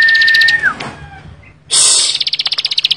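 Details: Bar-winged prinia in energetic full song: a steady clear whistle that falls off, a pause, then a loud burst of quick repeated buzzy high-pitched notes in a dense series.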